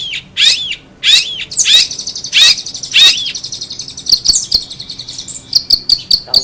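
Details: Long-tailed shrike song opening with five loud, down-slurred whistled notes about half a second apart. It then breaks into a rapid, chattering series of short high clicks and chips.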